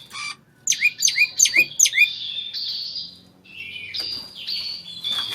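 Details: Oriental magpie-robin in mating, used as song therapy for a silent kacer: four sharp descending chirps in quick succession, then softer sustained buzzy whistles with a low background hum.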